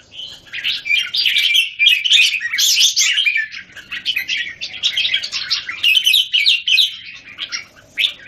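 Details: In Singapore, a caged Red-whiskered bulbul faces off against several others, recorded 17 January 2019. Busy, overlapping sweet whistles and chirps pour out almost without pause, in rapid uneven bursts.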